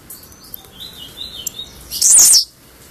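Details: Albino Blue-black grassquit giving a single short, very high buzzy burst lasting under half a second, after faint thin whistles.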